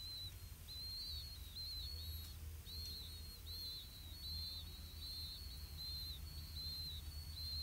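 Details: Five 4-day-old Blue-winged Pitta chicks in the nest beg for food as parents bring earthworms: thin, high squeaky notes, short slurred peeps repeated rapidly and overlapping, over a low steady rumble.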